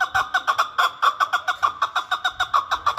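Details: Chukar partridge from Kabodiyon, Tajikistan, giving a rapid, steady series of hoarse chuk notes, about seven per second, clear and close with little background.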